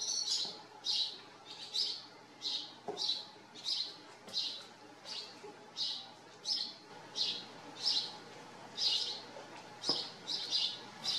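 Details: A house sparrow living at a farm gives a long, even series of short chirps, close to one and a half per second, with occasional faint clicks.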